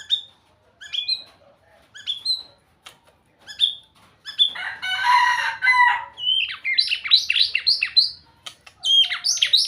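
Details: White-rumped shama singing: short whistled notes spaced about a second apart, then a harsh buzzy burst and a fast run of rich, varied whistled phrases.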